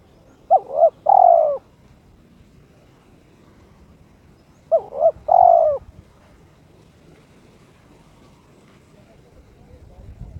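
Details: Two evenly spaced coo phrases, about four seconds apart, from a kept spotted dove (terkukur) in breeding mood challenging an opponent, each with two short notes and a long sliding coo, in near silence.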